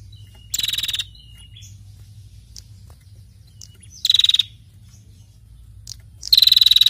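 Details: Actively calling female prinia: three brief high, stuttering buzzy rattles spaced several seconds apart, light chirps in the pauses, soft low hum in the background.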